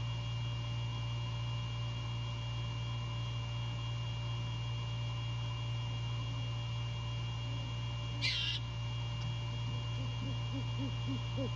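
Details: Great horned owl pair meeting before dawn on 15 January 2022 around 04:51, the male visiting his mate to mate. A quick run of soft, low arched hoots near the end over a steady low hum, with one brief hissy burst.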